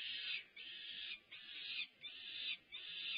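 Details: Peregrine falcon chicks at a nest at UC Berkeley, begging eagerly as their mother feeds them prey brought by their father, 20 May: harsh, rasping screeches, each lasting about half a second, repeated in a steady series with short gaps.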